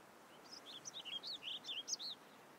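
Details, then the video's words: American robin giving a quick run of about a dozen clear, slurred whistled notes that rise and fall, over soft steady background noise. "American Robin (Turdus migratorius)"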